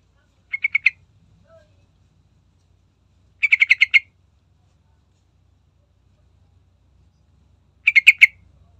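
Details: Sooty-headed bulbul, a lure recording meant to set other bulbuls singing: three short bursts of four to six rapid, harsh, mid-pitched notes, spaced about three seconds apart, over a faint low hum.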